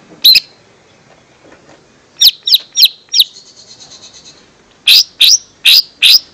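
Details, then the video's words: Lesser green leafbird song used as a lure for young birds: single sharp, very high chirps, a quick group of four, a thin buzzy trill, then four more evenly spaced loud chirps. "Suara Pancingan Cucak Ijo Mini/Cimini Bakalan"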